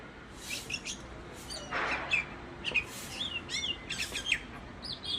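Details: Common myna giving a varied run of calls: squeaky whistles, rising and falling chirps and a harsher rasping note, close and fairly busy over soft background noise.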